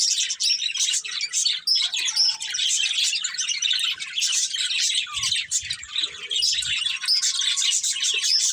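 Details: Budgerigar breeding pair chattering nonstop, rapid high chirps and squeaky warbles layered into a steady busy stream, with brief low knocks around the middle.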